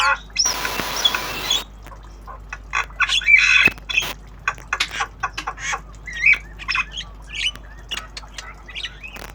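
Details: Kept, tame Javan myna learning sounds, obyogan style: opens with a loud hissing burst, followed by irregular harsh squawks, rasps and brief whistled notes at varying loudness.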